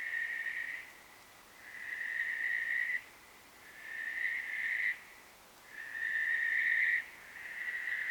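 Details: Western barn owl giving noisy, screechy calls: drawn-out harsh hissing screeches, each about a second long, repeated roughly every one and a half to two seconds, five in a row, with short quiet gaps between.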